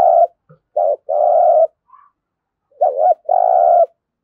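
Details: Spotted dove thúc gù coos for daily decoy-bird practice: a few low phrases, each a short warbled note leading into a longer steady hum, with a gap between.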